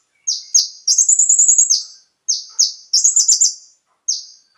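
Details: Konin song meant to prompt captive birds to sing: two sharp high slurred notes lead into a fast stuttering trill, repeated twice, then a lone note.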